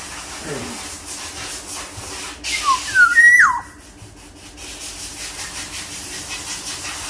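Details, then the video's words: Sumbawa black-naped oriole, a big-bodied bird, giving one fluty whistled phrase: brief falling notes climbing into a sustained whistle that drops steeply at the end, over steady hiss and clicking noise. "Siulan kepodang sumbawa body besar"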